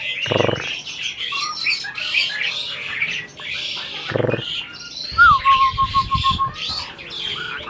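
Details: Asian pied starling parent bird appearing to talk, giving rasping chatter and mixed squeaks broken by two short broad bursts, then a clear descending whistle that levels into a held, slightly wavering tone.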